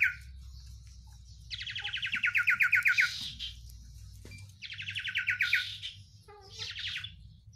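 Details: Oriental white-eye song, styled 'sirtu isian luber banyak pedes': fast rattling trills of sharp repeated notes, around four per second, in two bursts with a brief high chatter between, over low steady background hum.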